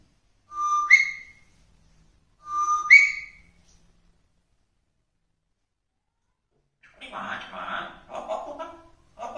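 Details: African grey parrot, said to be talking in Tamil, gives two loud rising whistles about two seconds apart, followed after a silence by rapid speech-like chatter.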